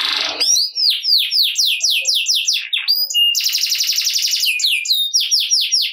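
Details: Canary singing in gacor ngerek style, used to prompt lazy canaries into song: a buzzy opening burst, then rapid falling swept notes about four per second, followed by a dense buzzy trill and more high sweeps.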